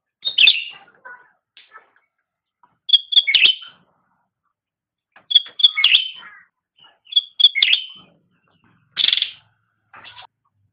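Short bursts of bright, tumbling whistled notes about every two seconds from a black-crested bulbul, with soft scattered chirps between phrases.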